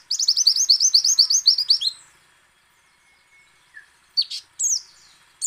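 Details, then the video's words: White-eye in ngecal, ngalas and nembak song, used to provoke other white-eyes into singing: a fast, even series of about fifteen bright chirps over two seconds, then near silence and a few sharp isolated notes. "PLECI ngecal, ngalas dan nembak AMPUH memancing pleci buka paruh"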